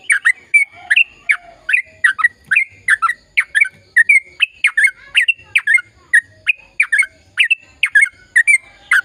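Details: Sooty-headed bulbul in long, vigorous song meant to stimulate silent birds to sing: a continuous string of quick chirps and whistled slurs, around three per second, steady throughout with faint background hum.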